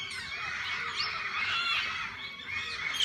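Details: Several sorts of parakeets in a walk-in visitor aviary, producing a steady wash of high squeaky chatter and warbling chirps with no breaks.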